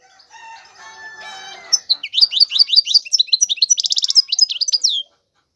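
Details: European goldfinch song: after a faint steady low whistle, a quick burst of sharp, tinkling chirps and short buzzy rattles runs for about three seconds, then stops.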